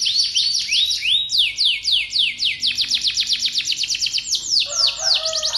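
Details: Continuous canary song meant to make other canaries sing along: rapid downward-sweeping whistled notes in fast series, shifting into slower spaced sweeps, then a softer lower warble at the end.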